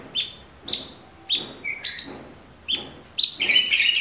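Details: Orange-bellied leafbird, or cucak cungkok, kept caged, producing spaced sharp high whistles about every half second, one low slurred note, then a dense buzzy chatter at the end.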